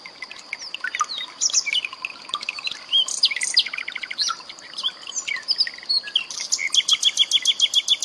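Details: A common nightingale's varied song of whistles, chirps and slurred notes ends in a fast, evenly repeated run of bright notes, mixed with added trickling water sounds.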